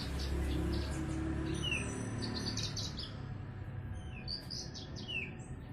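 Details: Kept Australasian bushlark (branjangan) singing actively: high, thin chirps and short trilled bursts, some notes sliding downward, scattered irregularly through the clip over a low steady hum.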